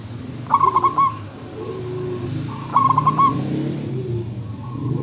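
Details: Local zebra dove luring others to reply: two phrases of quick, stuttering, ringing coos, with softer lower coos and low rumbling noise in the background.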